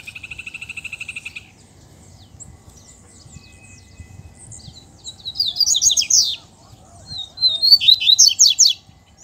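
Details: Caged double-collared seedeaters in the bush, singing and competing with a free-flying male; a rapid pulsed buzzy train opens, then loud fast warbled phrases of high twittering notes after a quiet gap.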